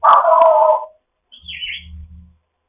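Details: African grey parrot in foster care, morning chat: a long rough harmonic squawk, a pause, then a short high buzzy chirp over a low steady hum.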